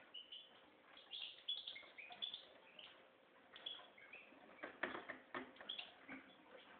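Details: Red mosaic white goldfinch mule, a hybrid finch kept for breeding, singing a busy twittering song of quick chirps, trills and short whistled notes.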